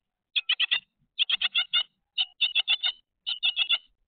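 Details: Grey tit giving clean, well-spaced bursts of three to five sharp, scratchy notes, each run rattled off quickly before a pause of about half a second, in an otherwise quiet setting.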